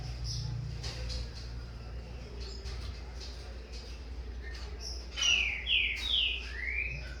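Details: Young captive green-winged saltator, corvo x fogueira type, beginning to contest its father's song: noisy background with faint voices, then four bright descending whistled notes in quick succession at the end.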